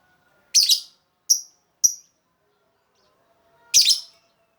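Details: Lovebird calls used to lure other lovebirds: four sharp, shrill chirps spread over four seconds, two of them harsh and buzzy, two thinner and clearer, separated by silent gaps.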